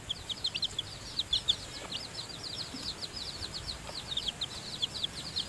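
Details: Inside the nest, newly hatched seven-tailed chicks are fed by the mother hen. They keep up clear, high peeping, short slurred notes repeated quickly and steadily, over a quiet background.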